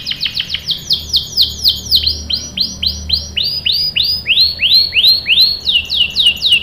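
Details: Energetic canary song intended to get young canaries singing: rapid high chirps opening into a steady chain of bright, downward-curving whistled notes, roughly three or four each second, with pitch shifting between phrases.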